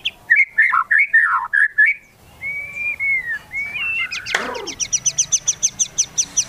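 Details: White-rumped shama singing a provoking song fill: a jumble of warbled whistles, then long smooth whistles, a sharp downward sweep, and a steady series of high clipped notes.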